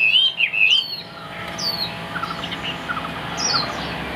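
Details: Chinese hwamei kept as a cage bird, giving a brief burst of loud whistled slurs followed by quieter scattered notes and one more high swoop near the end.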